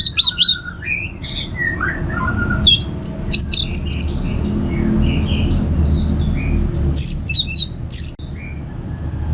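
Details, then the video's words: Orange-headed thrush, kept bird, from Singaraja in northern Bali, singing a varied phrase of whistled and chirping notes that slide up and down, with bursts of high sharp notes late on, over a constant low hum. "$uara ANIS MERAH Ngeplong"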